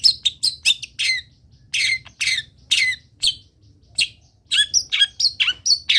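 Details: Long-tailed shrike singing, used to train other birds: varied harsh squawks and downslurred notes, then a fast sequence of clear whistled and chattering notes.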